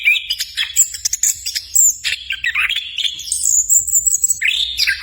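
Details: Rich, tumbling song of an orange-headed thrush (anis kembang): clear slurred whistles interwoven with quick clicks and thin high notes, phrases shifting pitch rapidly without pause.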